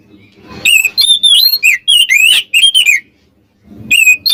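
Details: Oriental magpie-robin song intended to provoke rivals: a quick burst of bright, bending whistles and rough notes lasting about two seconds, a short silence, then a renewed whistle.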